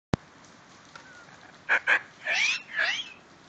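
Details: Pet female medium sulphur-crested cockatoo, happy after seeing rain: two short harsh squawks, then two longer raspy, broad screeches with wavering tones, each under half a second, against a quiet background hiss.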